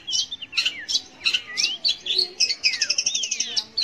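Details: Long-tailed shrike song used to coax young or non-singing shrikes to sing: varied high notes mixing harsh chattering bursts with swooping downslurred and upslurred whistles, quickening into a rapid stuttering sequence near the end.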